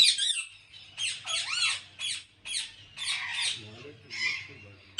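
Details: Ringneck parrots at a large breeding farm in Pakistan give harsh, broadband screeching squawks in uneven bursts, one with a rising and falling tonal sweep, plus a faint low hum in the background.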